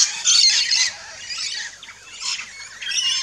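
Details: Wild rainbow lorikeets at a backyard feeding station in Australia give a loud, grating squawk, then softer overlapping chirps and a final rasping burst.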